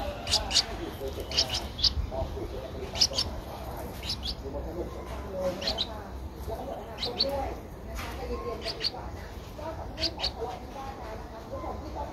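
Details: Twelve-day-old Streak-eared Bulbul chick in Ubon Ratchathani, Thailand, 14 April 2023, its eyes opened at seven days; short high thin chirps scattered irregularly over several seconds, with a man's speech and low hum throughout.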